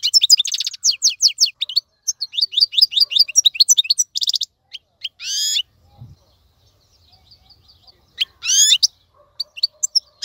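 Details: European goldfinch maqnin song for teaching young birds: about four seconds of fast twittering and buzzy trills, followed by scattered louder sweeping notes separated by quiet gaps.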